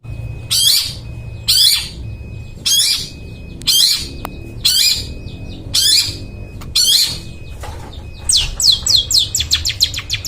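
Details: Long-tailed shrike, a well-sought vocal singer used to rouse silent birds into singing: harsh buzzy chattering notes at roughly one-second intervals, ending in a quick series of sharp downslurred chips; faint room hum beneath.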